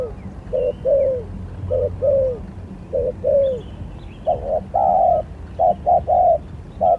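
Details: Spotted dove in a lure singing contest: paired coos with a downward-sliding second note, then louder flat triplets of coos, as if two birds trade phrases; faint higher bird chirps.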